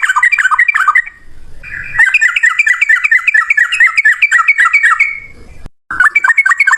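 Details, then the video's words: Energetic yellow-vented bulbul male song in fighting style: dense runs of bright, slurred, chattering notes, almost continuous for several seconds, broken by a short silence before another quick burst. "trucukan gacor TARUNG ROPEL PANJANG buat pancingan trucukan agar bunyi"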